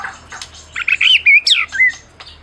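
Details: Prize-winning Medan white-rumped shama singing as a provoking lure for silent shamas: a short bright phrase of rising and falling whistles with one very high squeaky note.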